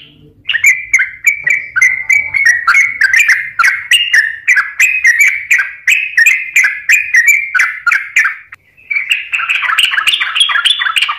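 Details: An actively singing sooty-headed bulbul, played to coax lazy or stressed birds into song: a long string of short, rich whistled phrases about three per second, ending in a denser twittering run.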